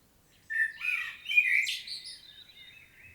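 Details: A common blackbird sings in Świnoujście, Poland, 25 September 2022, in a field recording: one loud mellow fluted phrase that breaks into high squeaky twittering and then fades away.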